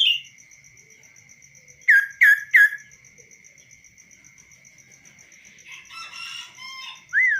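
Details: Caged-free tame kaso-kaso bird singing on the hand, with clear varied voice: a high slurred note, then three rapid descending whistles, followed by softer chattering notes and a final rising-falling whistle; a steady ticking sound persists.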